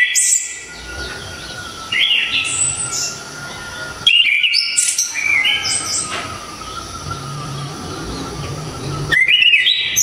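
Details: Orange-headed thrush (anis kembang, Java) delivering loud, sharp, tightly packed song: repeated bursts of fast whistled and trilled notes climbing and dropping, several phrases over ten seconds, with a steady faint tone in the background.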